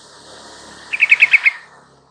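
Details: Caged yellow-vented bulbul, used as a lure to make a silent bird call back: a steady hiss of background noise, over which a brisk series of six or seven bright, bubbly notes rises.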